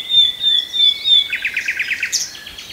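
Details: Nightingale song phrase: a sustained high pure whistle, then a quick run of about nine short repeated notes ending in a higher buzzy flourish.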